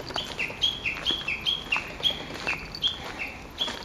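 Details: Japanese bush warbler calling in woodland at an ecological park on 06/12. Bright, whistled high notes alternate with slightly lower ones in a quick, uneven run, over two a second, with faint rustling beneath.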